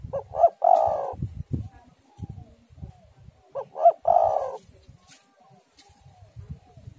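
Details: Lure recording of a spotted dove to prompt doves to sing; two coo phrases about three seconds apart, each with two clipped notes leading into a longer vibrating coo, with low rumbling wind behind.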